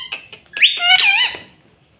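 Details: Brief snatch of a pet green ringneck parrot talking: a few clicks, then one rising, wavering voice-like phrase that fades out.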